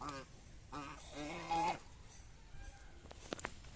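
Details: An angry goose gives three harsh, nasal honks, the last one longer and wavering, followed by quiet background noise and a few faint clicks.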